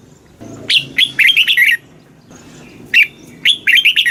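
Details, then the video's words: Caged red-whiskered bulbul, southern master-style song used to stimulate birds and train youngsters: rapid rich whistled phrases of five or six notes, a pause, then a single note and another quick warbling run. "เสียงนกกรงหัวจุก ร้อง ริก เปิดให้นกฟัง ยั่วให้นกคึกจัด"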